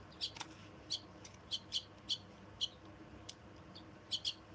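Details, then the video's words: Myna chicks being fed give short, high, scratchy chirps, about nine in four seconds at an uneven pace, with faint clicks in the background. "Feeding Myna Babies"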